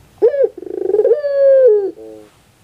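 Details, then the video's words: A puter pelung dove coos to stimulate a reluctant bird to sing: a short opening note, a quick stuttering run of pulses, then a long, full, level coo that drops at the end, followed by a soft, fading tail. "Pancingan Suara Untuk Puter Pelung Yang Malas Berbunyi"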